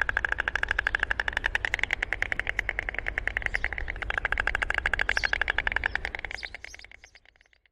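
A white stork clatters its bill in a fast, dry, wooden rattle for about seven seconds, then fades. A low rumble of wind or distant traffic runs underneath.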